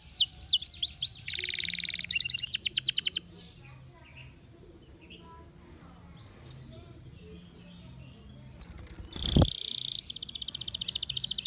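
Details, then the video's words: Canary in over-birahi breeding excitement. It gives bright sweeping notes and a fast buzzy trill, then falls mostly quiet with faint chirps. A sharp knock follows, and the song resumes with a high rapid trill. "bird song | canary over birahi"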